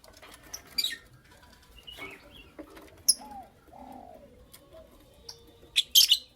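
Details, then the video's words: Creamino and lutino opaline lovebirds in the morning give scattered sharp, shrill chirps and a few short whistled slurs, with loud bursts near the start and end and some wing flutter. "Lovebird Chirping Sounds"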